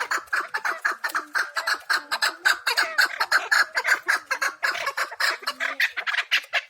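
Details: Wild chukar partridges of the Pamir with a steady stream of hoarse, chattering notes, nearly two per second, and other birds overlapping faintly in the background.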